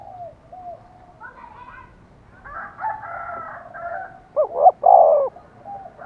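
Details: Spotted dove decoy calling so wild doves will coo in reply: softer mixed calls and murmurs early on, then a loud, deep two-part coo phrase near the end.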